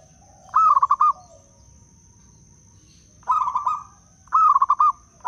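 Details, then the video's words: Wild local Zebra dove from Blora singing as a lure for other doves: rapid pulsed cooing phrases, three complete with a fourth beginning, spaced one to two seconds apart, with a faint continuous high-pitched hum. "Perkutut LOKAL BLORA - suara terbaik untuk pikat dan pancingan perkutut"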